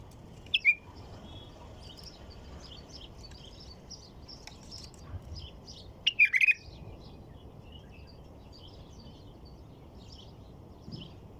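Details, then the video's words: White-eared bulbul song heard as two short liquid phrases several seconds apart, the second louder and bubbling, amid continuous faint high chirping from other birds and light background hiss. "تغريد بلبل طور"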